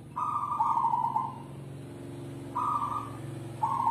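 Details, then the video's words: Perkutut, a kept zebra dove from South Sumatra, performing manggung song: a long trilled coo lasting over a second, then two shorter rolling coos, soft and mid-pitched with faint background hum. "Suara perkutut endemik Sumatra Selatan | perkutut manggung"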